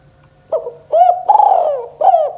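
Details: Spotted dove 'kuk 2' gacor call, meant to lure lazy doves into calling. One phrase of four soft cooing notes: a short first hoot, then longer drawn-out coos that rise and level off. A low hum is in the background.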